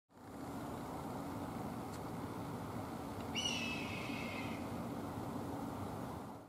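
A hawk gives one hoarse, high screech lasting just over a second and trailing slightly downward, over a steady rushing background of wind or distant traffic.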